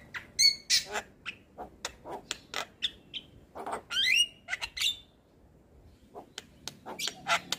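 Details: White-eyed Javan myna lure recording meant to coax reluctant birds into song: scattered harsh chacks, clicks and short rising whistles, with a brief pause near the end.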